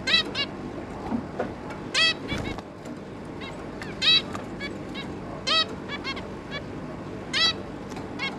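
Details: Three juvenile zebra finches with their parents, recorded 11 May 2022: scattered nasal beeping calls, single or in quick doubles, spaced a second or two apart, with a brief thump partway through.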